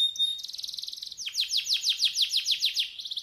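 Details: Canary master song, used to encourage a reluctant bird to sing; rapid rolling trill of high notes, then a series of descending sweeping notes repeated about three times per second, ending in a fast trill, clean background.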